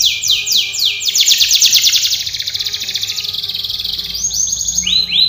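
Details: Singing canary, training song: falling sweeps lead into a long rapid rolling trill that gradually slows and drops, closing with a few curved rising whistles; faint low background hum.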